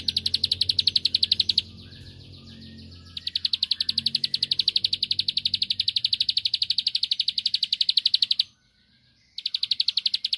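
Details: Bar-winged prinia song meant to draw a rival's reply: long, nearly continuous runs of very rapid, high, buzzy notes broken by brief gaps. A low hum sounds in the background early on.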